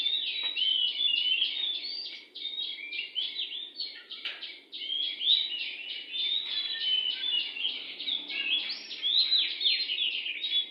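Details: Long, lively song of a wild oriental magpie-robin near a house, made of clear whistles, short chips and rich warbled phrases in rapid, ever-changing sequence, with faint knocks in the background.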